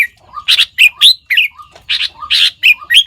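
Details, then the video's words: Sooty-headed bulbul imitating other bird species with loud, spaced chirps, harsh buzzy bursts and short rising whistled notes, roughly four per second. "เสียงนกปรอดหัวเขม่า นกแทด เลียนเสียงนกได้มากกว่า 5 ชนิด"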